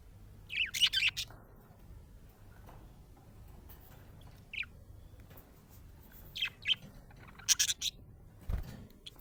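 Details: Happy budgerigar chirping: scratchy, high chirps and short warbled bursts come in clusters at the start and end, with a single clear note between and a soft low thump near the finish.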